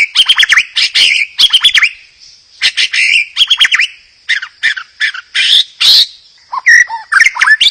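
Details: White-rumped shama singing to prompt other birds to sing: rapid bursts of loud, chattering, sharply modulated notes in quick groups, with short pauses between phrases and a few clear whistles near the end.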